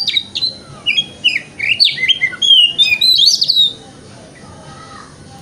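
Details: Oriental magpie-robin lure song in the 'wikplong' style, used in the morning to coax a bird into opening its tail: quick run of bright whistled and slurred notes rising to a loud buzzy flourish, then falling quiet.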